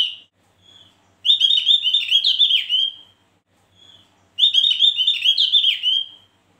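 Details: Javan grey-throated white-eye singing: twice a short high whistle leads into a loud, warbling, slightly buzzy phrase of about two seconds that wavers and then trails off, with a quiet pause between the phrases.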